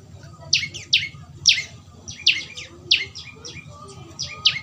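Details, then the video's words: Young prinia (prenjak lumut) calling, used as training audio to get a bird singing: sharp chirps sweeping down from high pitch, in pairs and trios, repeating roughly every half second over a low steady background hum. "Burung prenjak lumut suara asli alam"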